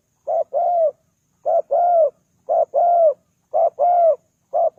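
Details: Decoy spotted dove cooing to draw in wild doves, repeating a two-part phrase about once a second: a brief soft coo, then a fuller arched coo. The background is quiet.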